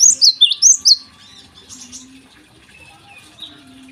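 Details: Short morning outburst from a Java sparrow: five quick, high, down-slurred chirps within one second, followed by faint twittering and a low steady hum.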